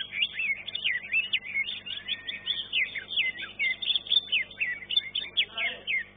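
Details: Contest-winning green leafbird in a singing competition pours out a dense, continuous stream of sharp chirps and slurred whistles, with a brief buzzy rattle near the end.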